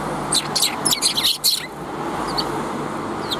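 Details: Greeting sparrows met on the way out, 16 April 2021: a quick cluster of bright, high chirps and twitters lasting about a second, then a few scattered single chirps, with constant road noise beneath.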